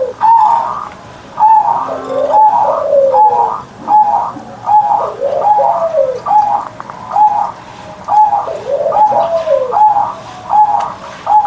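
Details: Caged zebra dove (perkutut) cooing loudly each morning, 'mbekur-mbekur' style: a steady run of short, mellow, looping coos, each bending down then up, repeated about every second without a break.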